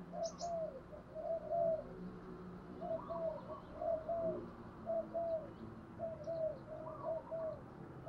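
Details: Spotted dove used as a decoy to attract wild birds, voice of the 'thổ đồng' type: repeated cooing phrases of two or three mellow notes, each ending in a longer coo, with brief higher chirps from another bird near the start.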